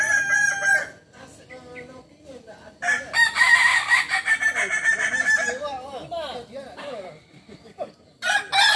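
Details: Kukuak Balenggek rooster, native to Tigo Lurah in Solok, West Sumatra, crowing in multiple levels. Short crow bursts at the start and end frame a long, loud stepped crow, with quieter voices in the background.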